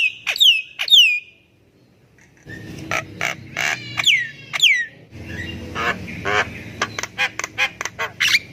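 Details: Javan myna singing, used to prompt silent birds to sing; two clear descending whistles, a pause, then mixed harsh chatters, downslurred whistles and rapid clicking notes.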